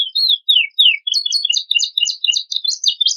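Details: Master recording of a canary with luxurious varied song content, played to provoke other birds: a few slow falling whistles open, then a rapid run of bright chirped syllables repeated about three times a second.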